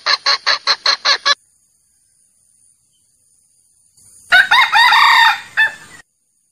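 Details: Male junglefowl used as a lure for catching roosters: six fast loud cackles, a silent gap of almost three seconds, then a harsh, broken crow of about two seconds.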